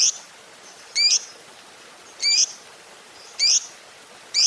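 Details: Fighter-type lovebird used as a lure recording for quiet lovebirds, giving sharp, high ticking chirps, each a quick rising note, repeated roughly once a second over a low hiss.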